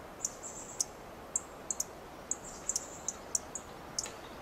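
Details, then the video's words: Dark-eyed junco ticking from a perch in a Coast Live Oak tree, short high chips scattered irregularly, some in rapid pairs, over low steady background noise. "Dark-eyed junco makes chip calls"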